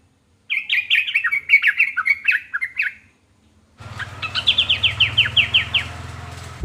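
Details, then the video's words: Sooty-headed bulbul song played so other bulbuls answer: a jumbled, bubbly phrase of quick warbled notes, a short pause, then a run of about ten sharp downslurred chirps over a low hum. "burung trucukan manapun langsung nyaut dibuatnya"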